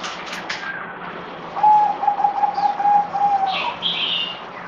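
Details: Kept zebra dove on its fourth day of deworming, 17 April 2020, delivering a single fast staccato cooing trill of about two seconds, level in pitch, among scattered higher chirps from other birds.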